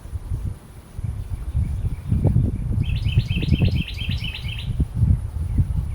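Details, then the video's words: Carolina wren calling: a quick run of about seven loud, rolling phrases over roughly two seconds, with low rumbling wind or background noise throughout. "Carolina Wren Calling"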